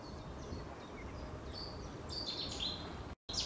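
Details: Cetti's warbler near Lutjebroek, Netherlands, gives a sudden, loud burst of sharp, high notes after a few faint chirps; steady background rumble, brief dropout near the end.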